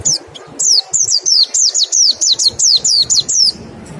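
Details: Rapid run of high, down-slurred whistled notes from a white-eye, about a dozen in three seconds, a nembak and ngecal style song played as a lure to stimulate quick singing.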